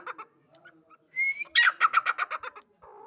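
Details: Female grey francolin (dakhni teetar) giving one call: a thin rising whistle followed by a quick series of loud, rhythmic pulsed notes, with faint softer sounds before and after.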